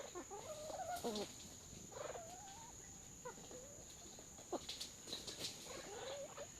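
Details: Red junglefowl at Neung Bird Hide, Kaeng Krachan National Park, Thailand, gives soft, wavering clucks and short murmured notes at an uneven pace, over a thin, steady high-pitched insect drone.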